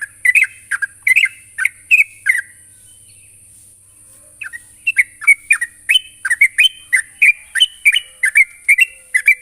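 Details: Sooty-headed bulbul summoning a rival with repeated short liquid whistles, a cluster of slurred notes, a two-second lull, then a steady, lively string of bright rising-falling notes; soft high hiss throughout.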